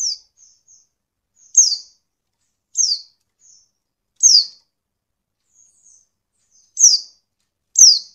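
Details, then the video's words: A captive female pleci, or white-eye, calls to provoke sluggish males into singing as in the wild: sharp, high, downward-slurred notes repeated irregularly every second or so, with faint soft chips between, and otherwise silence. "pleci betina sangat ampuh buat pancingan pleci malas bunyi"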